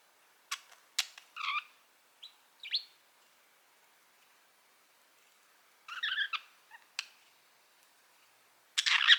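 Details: A happy female budgerigar gives bright, sharp chirps and short warbles, a contented bird's chatter, while climbing onto a roof.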